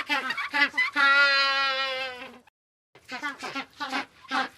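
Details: Penguins in a group give a few short stuttering notes, then one drawn-out nasal bray lasting over a second. After a short silence comes a fresh burst of clipped, honking pulses.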